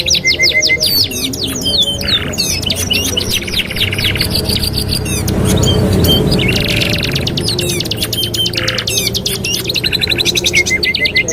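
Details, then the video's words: Canary song used as training master song: rapid high trills, piping repeated notes and buzzy rolls, broken by a swell of broadband noise midway before the trilling returns. "TERAPI MASTERAN KENARI 2 IN 1 | CANARY SINGING"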